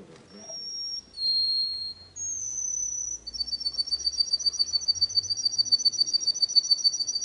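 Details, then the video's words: Singing canary delivers high sustained whistles, each held about a second at a different pitch, then breaks into a fast, steady, bubbling trill of very high notes. "تغريد الكناري صافي و احترافي جودة عالية-Chant Canari"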